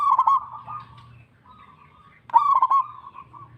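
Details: Local zebra dove delivering two phrases of bubbling, trilled coos separated by a quieter steady note, with a faint low hum behind.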